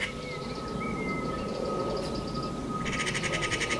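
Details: Magpies fighting by a garden nest. Thin whistled notes come first, then a fast, harsh rattle of evenly spaced bursts breaks in near the end, over a steady faint hum.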